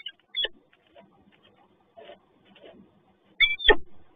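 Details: Peregrine falcon at the PGE site in Toruń on a rainy morning gives two short, harsh, scratchy calls, a brief one early and a louder, grating one near the end, with soft patter and rumble between.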